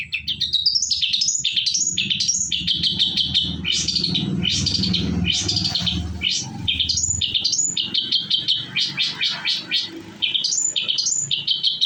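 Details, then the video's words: Shrike (cendet) lure song meant to make other birds reply: long stream of high, sweeping chirps rising and falling, dense repeated phrases with brief trills, low rumbling noise in the background. "PANCINGAN CENDET BIAR NYAUT IKUT BUNYI"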